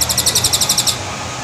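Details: High, rapid trotol of a white-rumped shama, a lure recording: about eleven clipped, bright notes rattled off evenly within one second, then stopping abruptly, leaving low background hum.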